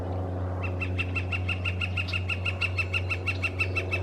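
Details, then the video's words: Red-shafted northern flicker in British Columbia on a west coast morning with many birds singing: a long, rapid series of clipped, evenly spaced notes, about three per second, over a steady low hum. "Northern Flicker Calling"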